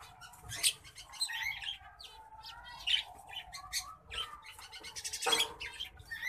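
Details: Hybrid of green singing finch and black-throated canary sings a busy, twittering song of quick chirps, trills and sharp high notes, with brief louder accents scattered throughout.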